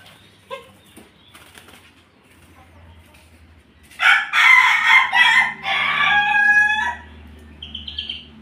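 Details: Pelung crossed with Bangkok chicken: a rooster's wings flap loudly, then a harsh, harmonic-rich crow lasts about three seconds, ending with a short, higher final note.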